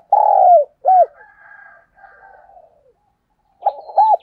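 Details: Spotted dove used as a lure bird, calling in the morning to draw wild doves: one long, loud, low coo, then a short arched note, soft murmuring coos, and finally a pair of quick arched coos.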